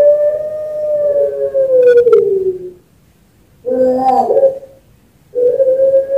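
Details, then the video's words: Long-cooing puter pelung Barbary dove, champion bird from a farm in Sragen, Central Java, used as master and bait song to get other doves singing; drawn-out mellow coo sliding downward, silence, a quavering note, then a fresh steady coo. "Suara Puter Pelung Juara (Masteran & Pancingan)"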